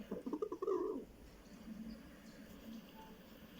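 A rock pigeon gives a low, throaty, rolling coo lasting about a second, followed by a softer, fainter murmur of cooing.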